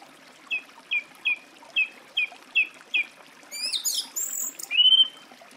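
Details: Song thrush song opening with seven brief whistled notes repeated evenly, then switching to a burst of high, squeaky, rising notes and ending on one clear descending whistle.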